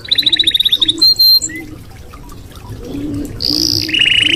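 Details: Red canary song opens with a rapid chipping trill of about ten notes and a short flat whistle. After a quiet stretch comes a high sustained note and a buzzy descending trill. Low background hum throughout.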